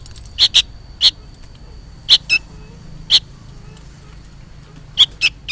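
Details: Young sooty-headed bulbul, noisy and persistent as though summoning a parent, gives high clipped chirps, mostly in pairs or threes separated by pauses of about a second, against a quiet low background hum.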